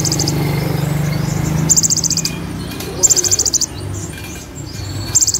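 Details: Olive-backed sunbird song with imitated Cililin and Ciblek phrases: three bursts of rapid, very high ticking notes about one and a half seconds apart, over a low droning hum.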